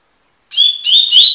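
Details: Double-collared seedeater, or coleiro, giving its tui-tui style song, recorded for song tutoring: a clipped fragment of bright, high whistled notes with upward slurs that is cut off mid-phrase, with no other sounds.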